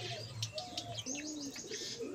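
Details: Budgerigars in a breeding colony where the birds have begun mating and thirteen eggs were laid; several quick high chirps and warbling notes overlap, with low background hum.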